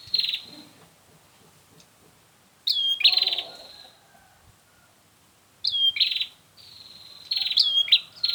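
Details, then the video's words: Lure call of a prinia for trapping: bursts of high, sharply rising chirps that flatten into long level buzzes, repeated in three groups over quiet gaps, with faint background rustle. "Suara untuk memikat burung prenjak"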